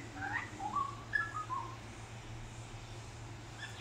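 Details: Male Australian magpie visiting a balcony, singing and mimicking: a brief run of short whistled and slurred notes in the first second and a half, then quieter, with a low steady hum throughout.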